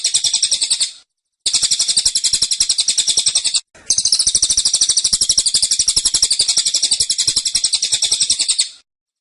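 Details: Caged cililin pouring out a packed, determined tembakan song in three long bursts of rapid, shrill chirping, separated by short gaps.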